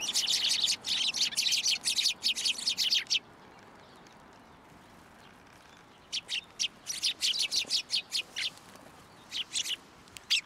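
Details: Group of sparrows arriving at a Tenmangu shrine to take food from a post, recorded 2 January 2023: rapid loud chirping for three seconds, a silent gap, then renewed irregular chirps.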